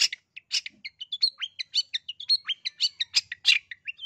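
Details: East Java long-tailed shrike singing continuously, meant to coax other birds to sing: rapid, varied stream of short whistles, chips and rasping notes, several per second.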